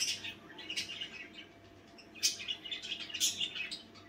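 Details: Night-time budgerigar chatter: rapid, scratchy high twitters and short squeaky notes in uneven clusters, with brief lulls between louder bursts, over a faint steady hum.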